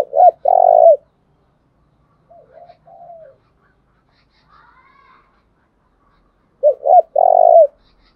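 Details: Spotted dove used as a decoy to entice wild doves to call. Two loud phrases of paired short coos and a long rolling coo, with faint soft coos in the pause between them.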